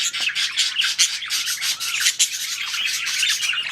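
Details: Breeding budgies, or parakeets, fill the air with constant harsh, rasping chatter and thin high squeaks, sounding like several birds at once.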